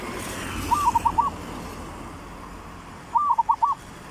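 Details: Three-rhythm style zebra dove song played as a trapping lure, two soft, rolling phrases about two and a half seconds apart, each a drawn-out coo followed by four quick pulsing notes, with faint background hiss.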